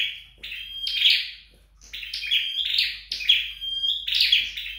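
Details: Flowerpecker kept indoors for song training: high, thin chirps run together with a steady whistle, four or five phrases, one short pause midway.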